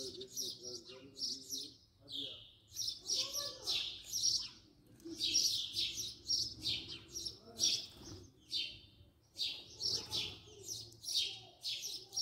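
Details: House sparrow filmed at close range, giving a steady series of short, harsh chirps repeated in quick bursts, with brief pauses between groups; a faint low hum underlies the calls.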